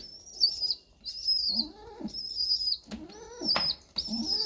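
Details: Begging squab, a baby pigeon fed by regurgitation from its parent, gives shrill piping whistles in quick succession, each slightly falling, overlaid with softer lower arching notes and a short rustle near the end.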